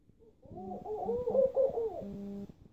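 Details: A laughing dove in Istanbul, a tame species there, gives a soft, low, bubbling series of rolling coos that rise and fall over about two seconds; no other sounds are clear.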